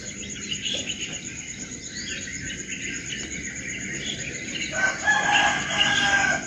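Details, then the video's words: Birds singing in the morning: scattered short, high chirps and twitters over a steady, thin high hiss. The chirping grows louder and busier in the last two seconds. "Suara kicau burung di pagi hari"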